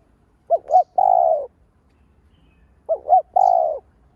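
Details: Spotted dove cooing as a lure call meant to stir other caged doves into cooing: two phrases, each two quick wavering low notes followed by one longer, slightly falling coo, about two and a half seconds apart.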